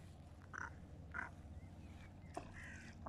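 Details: Great crested grebe with chicks at Pärnu, 17 June 2024, 10:00: a few short, thin piping calls at irregular intervals about half a second apart, faint over a steady low rumble.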